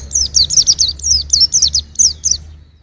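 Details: Songbird-training white-eye song, a fast series of thin, high, downslurred twitters in one steady phrase that fades near the end over a low background rumble.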